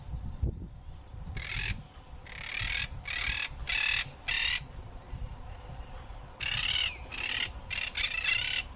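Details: Wild macaws in Brazil's Pantanal and Amazon, recorded 2016-2017: loud, harsh, broadband squawks in bursts of roughly half a second, some in quick runs and others spaced by pauses, over a low background rumble.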